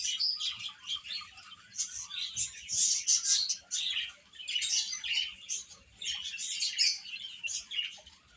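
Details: Baby hens feeding and playing, producing loud, crowded high-pitched peeping with a few harsher squawky notes, rising in several bursts over eight seconds.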